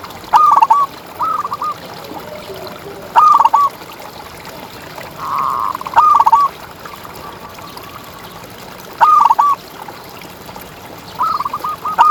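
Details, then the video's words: Local zebra dove (perkutut) singing, a contest bird played to tutor and rouse other doves; rapid stuttered coo phrases repeated every few seconds at even pitch, a brief muffled low sound midway, steady background hiss. "Perkutut Juara Gacor Ngalas"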